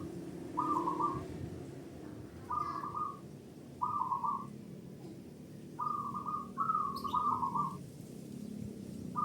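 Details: Local zebra doves trading loud song as a lure to make other doves sing: short purring coo bursts at steady intervals, softer and more distant, over a steady hiss and low hum, with one faint high chirp.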